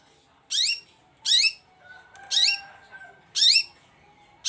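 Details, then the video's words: Long-tailed shrike calling loudly to rouse silent shrikes: harsh, descending rasping notes repeated about once a second, with a faint steady whistle-like tone in the background. "CENDET GACOR ❗RAJANYA DONGKRAK EMOSI CENDET DIAM LANGSUNG NYAUT GACOR IKUTAN BUNYI"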